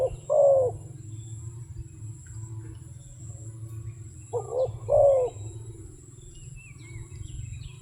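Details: Low, soft coos from a wild dove: a single falling note, a long pause, then a paired coo, with quiet background hum and faint distant chirps.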